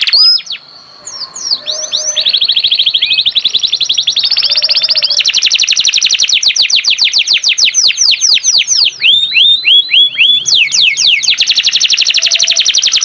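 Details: Canary singing continuously and loudly, called gacor: long varied song of buzzy rolls, rapid chip trills and strings of curved whistled notes, switching tour every few seconds.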